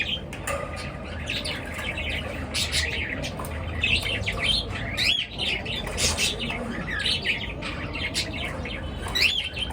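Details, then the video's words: Continuous morning twittering from several birds, wavering high chirps and trills overlapping without pause over a low, steady rumble. "পাখির কিচির মিচির ডাকে সকাল বেলার ঘুম ভাঙা"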